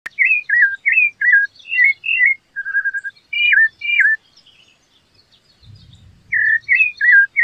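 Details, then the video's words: Rufous-bellied thrush singing: a run of short, clear whistled phrases, slurred up and down, given in quick succession with brief pauses, a short gap mid-way, and a faint low rumble near the end. "sabia laranjeira cantando canta muito bonito?"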